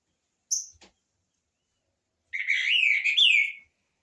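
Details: Green-winged saltator (trinca-ferro) singing: one short high note, then after a pause a loud warbled phrase of slurred whistles that rise and fall for about a second. No other sounds.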